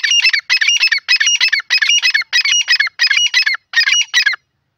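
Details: Grey francolin giving a loud, harsh call, bursts of grating squeaky notes grouped in regular phrases about every half second, clean background.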